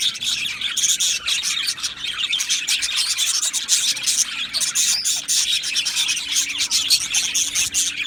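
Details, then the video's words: A colony of Australian budgerigars in an aviary on 12 July 2025 keeps up unbroken chirping: a thick, buzzy layer of high twittering with quick clicky notes running throughout. "Australian Budgie Chirping Sounds"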